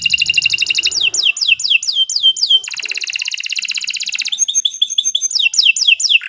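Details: Canary master song for training contest birds: quick trills give way to repeated downward-sweeping notes, a long even mechanical-sounding roll, then more varied sweeps and chirps, sung continuously and loudly.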